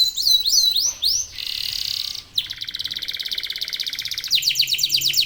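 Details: Domestic local canary in lively song used to encourage others to sing: a few swooping whistles, then a buzzy sustained passage and a fast rattling trill.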